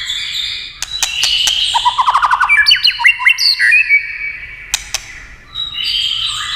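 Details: White-rumped shama answering tail-tapping clicks with a rising series of quick notes and upward-slurred whistles, clicks sounding before and after.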